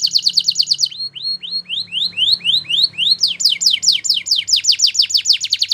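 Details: Belgian canary singing, used for training young canaries: fast repeated high trill, then a series of rising whistled sweeps about four per second, then quick descending chirps, all loud and clear.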